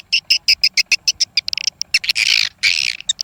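Swiftlets give rapid, dry, high chirps, about five per second, with a few harsher buzzy bursts near the end.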